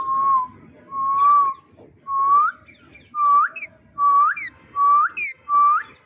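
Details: Green Indian ringneck parakeet kept as a pet, making sounds like a human: a clear whistled note held briefly, then bending sharply upward at its end, repeated about once a second in a quiet room.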